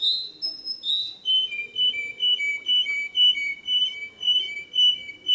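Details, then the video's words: Canary song opening with a few descending whistles, then a long series of evenly spaced paired whistled notes repeated about twice per second, over low background murmur. "تغريد الكناري صافي و احترافي جودة عالية-Chant Canari"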